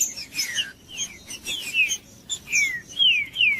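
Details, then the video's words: Green-winged saltator song meant to stir a cold bird into singing: rich, slurred whistles sliding downward, phrases repeated in quick succession, clean background. "TRINCA FERRO CANTANDO"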